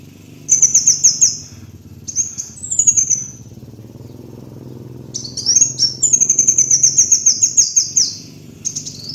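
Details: Kolibri wulung sunbird song used as a lure master: very high, thin, rapid twittering trills in bursts of one to three seconds, some sliding downward, over a steady low hum.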